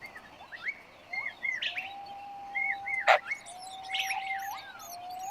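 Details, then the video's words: Long-tailed shrike in West Java, a parent feeding six chicks; short rising chirps and upslurred squeaks come in scattered bursts, with a long steady whistled tone held beneath and a sharp click near the middle. "Burung Pentet/Cendet Jawa barat meloloh enam anak"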